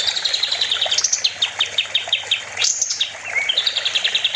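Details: Kapas tembak, the olive-winged bulbul, sings a training master for cage songbirds: rapid high chirps and short slurred whistles tumbling in quick, irregular phrases, with a brief upward sweep midway.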